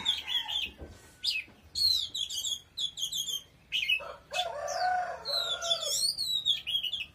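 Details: An Oriental magpie-robin sings forcefully in rapid bursts of whistled, warbling notes and sharp chips. Midway, a lower, harsh clucking, fowl-like sound rises briefly beneath the song.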